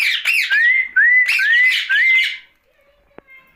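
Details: Rose-ringed parakeet, a pet bird heard at night, mixing rough squawky chatter with four smooth rising whistles in quick succession, then falling quiet apart from a faint click.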